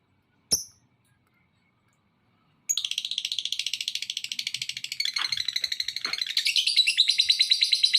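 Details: Lovebird call used as a lure to provoke other lovebirds into calling: a single sharp click, a short silence, then continuous rapid high chattering of fast repeated notes that gradually intensifies and holds to the end.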